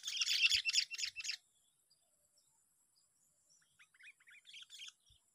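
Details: Sooty-headed bulbul, lured and caught, on day six of fighting: a loud, harsh buzzy burst lasting over a second, then a quieter series of short, clear chirping notes rising and falling, ending with a brief louder flourish.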